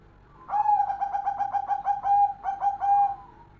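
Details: Golden zebra dove singing vigorously: a rapid stuttering run of mellow, pulsed coos on one low pitch, broken by a short pause before a second, shorter rolling phrase. The background is quiet.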